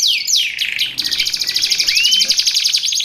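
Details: Canary song used to train pet canaries and lure wild ones: a few quick downward-swooping notes, then a dense, even, rapid trill with one upward-slurred whistle laid over it.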